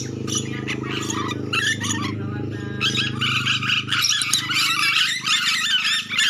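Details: Lure call of a nuri dora lory from Sulawesi: dense, scratchy chattering and shrill squawks that grow busier after three seconds, accompanied by a continuous low buzzing drone.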